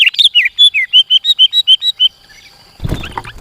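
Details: Sooty-headed bulbul, used as a trapping lure and song tutor. A rapid run of about a dozen short, pure whistled notes is followed by a rustling, scraping noise.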